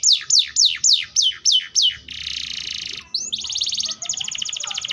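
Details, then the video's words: Atlantic canary singing a run of seven loud descending whistled sweeps, quickly repeated, that gives way to a steady buzzy roll and then a second, faster rolling trill. "THE SOUND OF THE CANARIA SERINUS ORIGINAL SOUND LIKE IN THE WILD"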